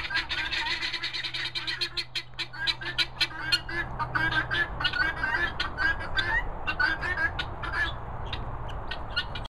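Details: Several free-roaming guineafowl keets eating mealworms give a dense, overlapping stream of short, high, shrill peeps and chirps, often several per second, with a steady low hum underneath.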